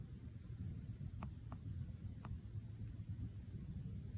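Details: A low, steady rumbling hum fills the recording, with only a few faint, soft taps and no animal calls.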